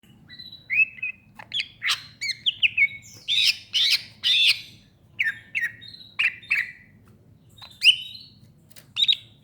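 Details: Greater green leafbird, known locally as cucak ijo, singing a lively varied phrase of bright chirps, short whistled slurs and harsher squawky bursts, delivered in quick clusters with brief pauses, over a faint steady low hum.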